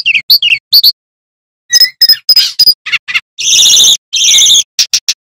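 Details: Loud, piercing song of a male bamboo flycatcher: scattered high chirps, then two longer harsh trilled bursts, followed by quick sharp ticking notes.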